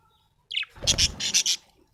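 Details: Happy budgerigar chirping: a brief high rising note, then a quick burst of five bright, buzzy chirps packed closely together, with a soft low rumble underneath.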